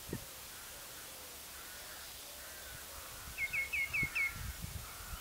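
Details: Spotted redshank with four greenshank on saltmarsh at Kidwelly, 13 March 2012: a quick run of five sharp, whistled notes near the end, over a low rumble of wind and distant background noise.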